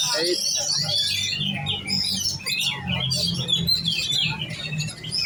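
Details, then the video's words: Competition-ready young oriental magpie-robin delivering a fast, varied stream of sharp whistled notes and twittering phrases, some sliding up and down. A steady low rumble runs beneath the singing throughout. "Burung kacer giras set lomba kejar on ngunci"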